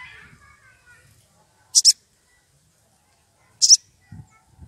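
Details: Wild sogon, excited and calling for a rival, used as a lure: two sharp, high double-noted chips about two seconds apart, with faint low rustling between them.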